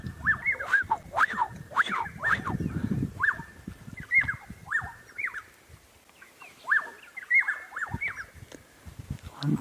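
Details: Several black-headed orioles, at least six, singing on 5 October 2016 during breeding time, with a territorial dispute expected: liquid, clear whistled phrases dropping and rising, overlapping from several birds, over low rumbling background noise.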